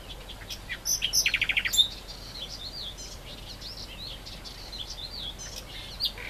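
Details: Great reed warbler delivering a rapid series of harsh repeated notes, followed by softer wavering chirps from other birds in the background.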